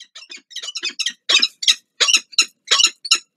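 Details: Peregrine falcons (Falco peregrinus) at a nest site on the Palace of Culture and Science, Warsaw, Poland, during morning change-overs on 2 April 2023: harsh, grating calls, about ten rasping notes in three seconds, in uneven bursts of two or three.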